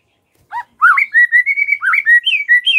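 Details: White-rumped shama song used as a lure to make other birds sing: a short burst of clear whistled notes near the middle pitch range, with rising slurs and held tones strung together quickly over about two seconds.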